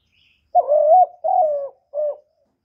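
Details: Cooing spotted dove used to stimulate kept decoy birds: a three-part phrase with a long rising coo, a steady falling second note and a brief final coo, deep and soft, with nothing else audible.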